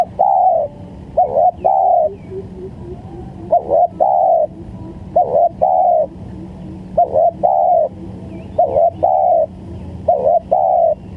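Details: Spotted dove lure recording for trapping: repeated three-part coo phrases, a short note then two longer mellow coos, about every two seconds, with faint distant chirping birds.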